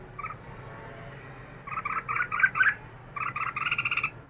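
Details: Red-whiskered bulbul, caged for two years, delivering rapid chattering notes in two quick bursts after a quiet start, the second burst a steady buzzy trill.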